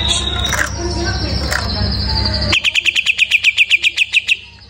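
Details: Greater green leafbird just after moulting: a steady high whistle over a low hum, then a rapid burst of about fifteen sharp, evenly spaced chirps.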